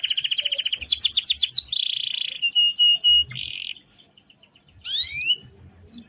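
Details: Canary singing a long roll meant as a daily model for training other birds: fast buzzy trills, a sustained rattling roll, a pure whistled note, a brief pause, then two sweeping rising-falling whistles.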